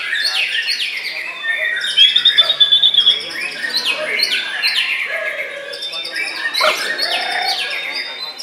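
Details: Contest-singing white-rumped shama, a caged bird placing second in the main class at Puspa Agro, Sidoarjo, on Sunday 21 January: loud, rich outpouring of high whistles, sharp slurred notes and rapid chattering bursts, with a brief stuttered trill near the middle.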